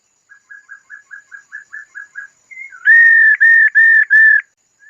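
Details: Female laughingthrush, heard calling to excite males: a run of about ten soft, short piping notes, a brief rising slur, then four loud, sustained flat whistles with clicking edges.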